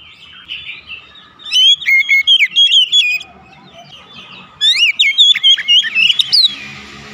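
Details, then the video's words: Oriental magpie-robin song used as a lure to set home-kept birds singing: two bursts of loud, varied whistled phrases, rapid sweeping notes rising and falling, separated by a quiet pause with faint background noise. "terapi pancingan Kacer tanpa mengenal waktu | Kacer rumahan pasti gacor"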